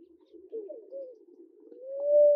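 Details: Namaqua dove (Oena capensis) in Kenya calling: soft, low cooing notes ending in a long, rising, hollow whoo, in a quiet setting.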